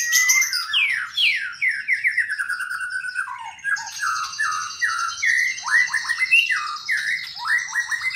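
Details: Albino and blorok mutation white-rumped shamas, a colour-mutant pair, singing a rich, fast song. Rapid descending slurred notes repeat in quick runs, then a long high sustained tone stretches through the second half over bright chattering phrases.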